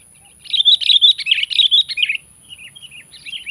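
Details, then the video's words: Sooty-headed bulbul calling to challenge and pressure a rival: a rapid, jumbled burst of bright chirping notes for about two seconds, then a softer trailing series of short chirps. "Panggilan Gacor menantang menekan lawan"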